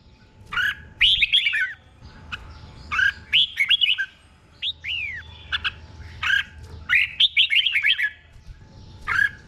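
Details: Thai red-whiskered bulbul singing slow, clear doubled 'beun' song to train caged birds: cheerful phrases of quick whistled notes alternating with single arching slurs, spaced by short silences.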